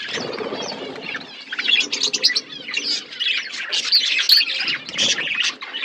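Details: Aviary budgies in a forest environment chatter together, starting with softer mixed murmuring and building into busy, overlapping warbled chirps and squeaky notes that grow louder through the second half.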